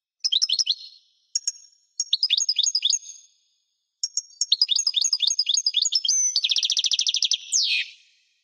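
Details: Goldfinch song recorded in 1998: short bursts of liquid twittering separated by brief gaps, then a longer jangling phrase, a fast buzzy trill and a final downslurred note.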